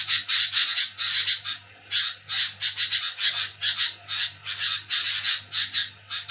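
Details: Noisy nocturnal scolding chatter from a sooty-headed bulbul: rough, buzzy bursts delivered in clusters of three to six, separated by short silences, above a faint low hum.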